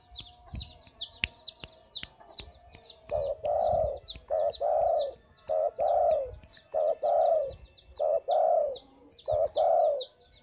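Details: Spotted dove cooing vigorously: low, mellow two-part coos, a short note then a longer rounded one, repeated about every second and a quarter, with thin high chirps of small birds and a few sharp clicks behind.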